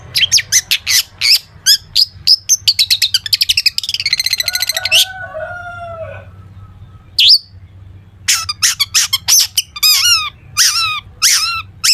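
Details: Long-tailed shrike in lively full-isian song, used to prompt other shrikes into singing: rapid runs of sharp high chirps, a dense buzzy trill, then low wavering whistles, a pause, and bursts of downslurred high notes.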